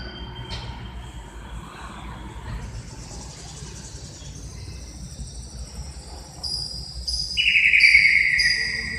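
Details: Cucak ijo, the greater green leafbird, recorded in Indonesia: quiet and hum-filled at first, then high thin whistled notes come in, joined by a loud, fast, buzzy trill in the final seconds.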